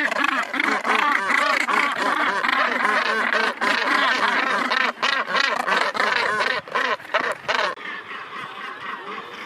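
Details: Colony of northern gannets nesting on Helgoland; continuous harsh, grating calls from many birds in rapid rhythm, thinning out near the end to quieter background calling.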